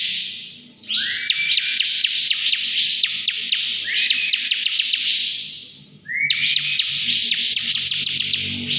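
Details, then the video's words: Bar-winged prinia singing vigorously in captivity: rising whistled notes leading into long buzzy trills with rapid sharp ticks, three phrases over several seconds, nearly continuous with brief breaks. "CIBLEK NGEBREN GACOR"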